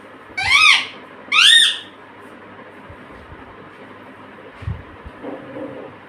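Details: Household parrot mimicking human words such as "mummy": two loud, harsh, rising voice-like calls about one second apart, then faint low murmurs over steady background hum.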